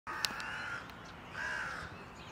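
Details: A common starling in Tivoli landscape park, Ljubljana, on 13 March 2023, sings a drawn-out, slightly wavering whistle broken by a sharp click, then a second whistled phrase, over a soft outdoor hiss.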